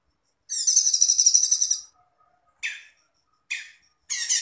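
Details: Cucak cungkok master song for training songbirds: a sustained high, rapidly pulsing buzzy trill for about one and a half seconds, then three short rasping notes.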